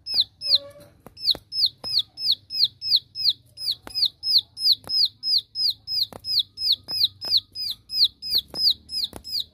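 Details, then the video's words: Continuous 'tembakan' shooting song of a Bar-winged prinia calling out rivals, an unbroken run of sharp, high, downward-sliding notes at roughly three per second, with occasional clicks in the background. "Suara Tembakan Ciwah Memanggil Lawan .Ciwah Lain Pasti Ikut Nembak"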